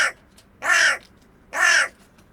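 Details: Wild hooded crow (Corvus cornix) cawing: two loud, rasping, slightly downslurred caws nearly a second apart, the tail of a previous caw at the start, against a quiet background.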